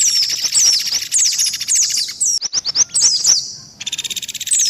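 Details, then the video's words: Lure recording of white-eye, mixed with mantenan and pelatuk beras calls: very high, sharp slurred whistles repeated rapidly above a dense buzzy trill, broken midway by a short series of clipped chips. "SUARA PIKAT BURUNG PLECI"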